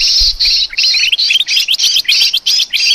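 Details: Sooty-headed bulbul lure call used for trapping small birds: harsh, buzzy chattering notes repeated about three times a second in a steady run, with a brief low thump near the start.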